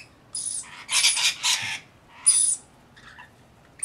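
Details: Rainbow lorikeet during bathing and feeding, giving a few short, harsh, broadband screeches in quick bursts, then a later single screech, with quiet gaps between.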